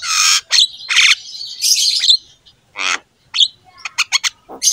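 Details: Loud, vigorous Javan myna song used as a master recording for pet mynas. Long harsh hissing squawks open it, followed by a grating buzz, then sparse clicks and brief whistled chips.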